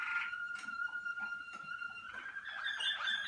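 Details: Malinois Waterslager canary, a bred and selected song canary, on one of its first outings to the singing cabin while warming up: a steady held whistled note with rich overtones, shifting into brighter, warbled notes near the end.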